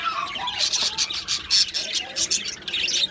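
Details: Australian budgies in an aviary colony chirping together, dense overlapping high warbles and short tweets with brief louder bursts, a busy flock chatter without pause.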